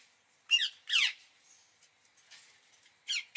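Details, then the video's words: Indian ringneck parakeet uttering loud harsh squawks with falling tails, spaced irregularly, with faint softer sounds between them. "parrot sound | ringneck"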